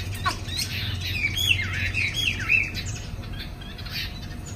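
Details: Afternoon singing from a caged Chinese hwamei flaring its wings: a run of quick varied whistled notes and warbles, fast and irregular, mid to high pitched, above a low droning hum.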